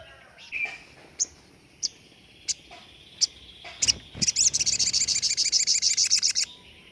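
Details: Sogon singing standard 'tembakan' song used for training other songbirds. Scattered sharp clicks and ticks lead into a loud, fast, even trill of high piercing notes lasting over two seconds.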